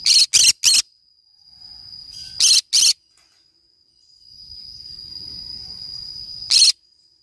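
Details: Green-cheeked conure playing alone in a forest: a fast burst of three raspy screeches, a pause, two more, then one final harsh squawk, over a continuous high-pitched insect-like tone.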